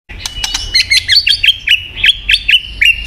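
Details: White-rumped shama singing, used to prompt a silent bird to sing: sharp clicks and then a string of bright, quick whistled notes repeated about every quarter second, steady in pitch.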